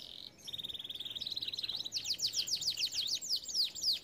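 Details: Canary singing a training song: a steady buzzing trill shifting into a series of loud, sweeping down-slurred whistles repeated several times a second.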